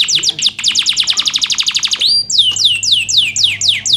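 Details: Energetic canary used to tutor lazy canaries: a quick rattle of steeply falling notes, a clear sustained whistle, then slower, broader downward-curving sweeps repeated about every quarter second.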